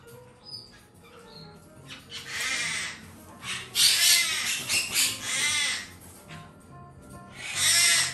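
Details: Two young black-headed caiques, domestically bred, one a male, give harsh, raspy screeching squawks in overlapping bursts, after a couple of thin high whistles at the start.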